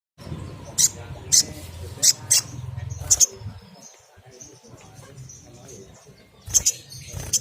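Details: Little spiderhunter singing energetically, used as a lure recording to get newly caught spiderhunters singing quickly and often: sharp high chips in a loose burst, a pause, then another pair of chips, over low background rumble.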